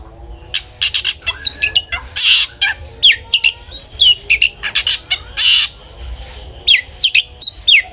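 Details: Ngeplong-style long-tailed shrike song used as a lure for other shrikes: grating harsh notes interspersed with sharp whistled slurs, delivered in uneven rapid clusters with brief pauses.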